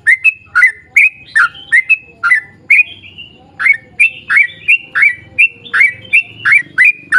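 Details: Long rapid lure song of a sooty-headed bulbul meant to prompt others to sing: fast runs of liquid, chirpy notes with downward slurs, a brief pause near the middle, then steady bursts again.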